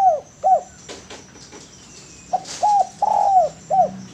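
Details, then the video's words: Spotted dove song for training birds: short, downward-bending coos and one longer held coo. They come in an uneven phrase, with soft clicks between the notes. "MASTERAN DERUK YANG PALING DI CARI BANYAK ORANG"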